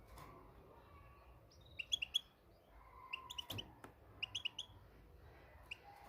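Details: Moroccan European goldfinch singing: short bursts of bright, tinkling twittered notes, clustered in quick groups with pauses between, over a faint low hum and a soft steady tone.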